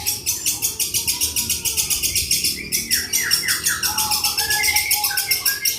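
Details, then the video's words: Long-tailed shrike from Java copying other birds in a long, repeated 'petir'-style sequence. Rapid buzzy pulses are broken by slurred descending whistles and one sustained whistled tone. "CENDET INI MUNTAHKAN TENGKEK BUTO KUNTILANAK GREJA NYERET PETIR KW PANJANG2 DAN DIULANG2"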